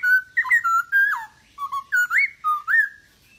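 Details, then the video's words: Masked laughingthrush singing to stimulate quiet birds: a sequence of loud, mellow, fluting whistles, each note sliding up or down, delivered in two bursts with a short pause between. "POKSAY HONGKONG Anda Malas Bunyi,Pancing Dengan POKSAY HONGKONG Gacor ini"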